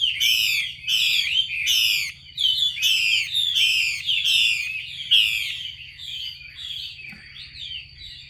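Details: Female Chinese hwamei giving a call that stimulates males to sing: loud raspy descending bursts roughly every second, fading into softer, thinner slurred notes, a faint constant high tone behind.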